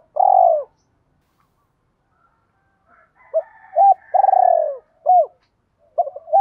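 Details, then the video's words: Spotted dove giving a 'thúc gù' coo, played to spur newly caught caged doves to call: a long purring, slightly falling coo, a pause, then short arched notes around a second long purr, with no background noise. "Tiếng chim cu gáy thúc rút chim cảnh bổi nhanh gáy và về cội nhanh hơn"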